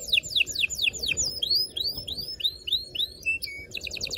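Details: Canary song for stimulating mating in both sexes: steep descending whistles, then a string of rising curved notes, brief flat tones and a quick trill at the end, over steady low background noise.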